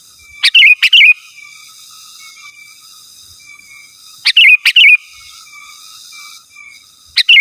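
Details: Sooty-headed bulbul calling to rivals, giving short double-chirp phrases ending in a quick warble, repeated roughly every three to four seconds over a faint steady hum.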